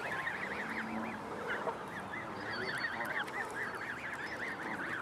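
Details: Several geese, with mallards and nearly grown goslings nearby, honk almost nonstop, nasal and wavering and overlapping one another, over a low background murmur.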